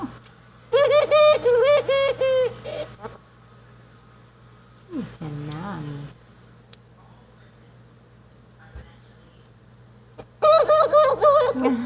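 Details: A bird eating bread makes loud, goofy noises: bursts of rapid, nasal, harmonic squawks repeated in quick runs at the start and end, with a person's voice speaking softly in between, indoors.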